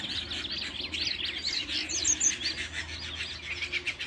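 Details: Rapid, evenly pulsed canary chirps form a busy high warble, little notes repeating in quick succession, with a low hum underneath.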